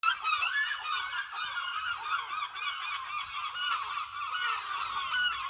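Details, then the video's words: Seagulls at Lossie: a dense chorus of many gulls calling at once, overlapping harsh, nasal, rising and falling cries layered continuously with no pause across the whole stretch. "seagulls in lossie"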